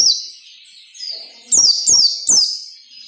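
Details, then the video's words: White-eye singing the 'ngalas nembak' style for training captive birds: three loud, quick descending whistled phrases in close succession, preceded by softer high chatter. "SUARA PELECI NGALAS NEMBAK SERTANDAR UNTUK MELATIH PELECI AGAR CEPAT NAGALAS NEMBAK"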